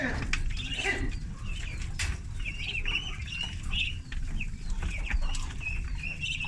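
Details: Thirty ducklings on a farm while being fed; continuous chorus of short high cheeps, some in quick runs, plus occasional clicks and a heavy low hum.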